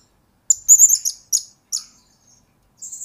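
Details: Blue-crowned hanging parrot used as a lure and master bird for training, giving very high, thin trilled chirps and short sharp notes in a quick burst, then a pause and a brief closing phrase; no other sounds.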